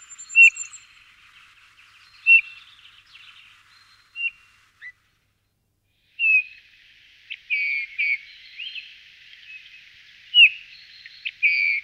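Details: Eurasian bullfinch (Pyrrhula pyrrhula) giving soft, short piping whistles. The notes are spaced irregularly, with a silent gap in the middle, then come in a denser run of slurred whistled notes toward the end.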